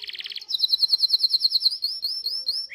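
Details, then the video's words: Canary song used as a master recording to teach young canaries and lazy singers: a short buzzy trill, then a fast run of bright repeated chirps, then smooth rising whistled notes. "PANCINGAN Kenari GACOR PANJANG Cuit Cuit EMOSI‼️ MASTERAN Kenari PAUD belajar BUNYI"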